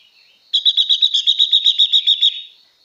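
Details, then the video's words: Female blue-winged leafbird singing to excite males, giving a fast, even trill of about fourteen bright, high, slightly buzzy notes in under two seconds, fading at the end over a faint steady whine. "Tiếng Chim Ngũ Sắc Mái Hót Siêu Kích Trống"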